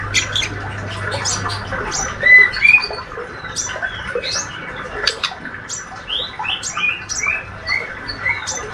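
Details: Young male white-rumped shama, described as healthy and a keen singer, producing ngriwik chatter: scattered squeaky chirps, a short clear whistle near two seconds, then curved rising notes, roughly three per second.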